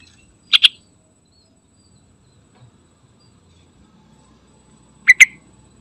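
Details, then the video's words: Yellow-vented bulbul (trucukan) lure call for wild flocks, two brief, bright double notes about four and a half seconds apart with near silence between. "Panggilan Trucukan Gacor"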